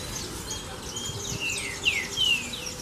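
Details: Green-winged saltator in the "Sou Terrível" song style, giving two or three clear whistles that drop in pitch near the end, among faint high chirps and twitters from other birds and a low background hiss.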